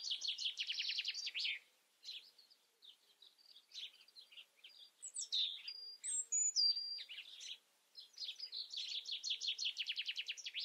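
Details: European robin song: fast rattling trills open and close the passage, with soft scattered twitters and clear, high, drawn-out whistles that slide downward in the middle, separated by brief pauses.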